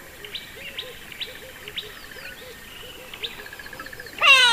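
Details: Grey Go-away-bird giving its grumpy yelps, a run of low, hoarse yelps about twice a second, ending in a loud nasal burst like its classic 'go-away' call; thin chirps of other birds behind.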